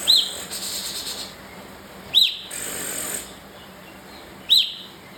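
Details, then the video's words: Bar-winged prinia repeating a single high, arched chirp three times at intervals of a little over two seconds, with bursts of soft rustling noise between the notes. "Kapas tembak emosi"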